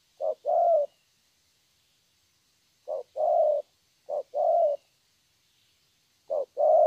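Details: Young spotted dove giving its song, paired coos of a short clipped note then a longer rolling coo, phrases spaced by gaps of one to two seconds in a quiet setting.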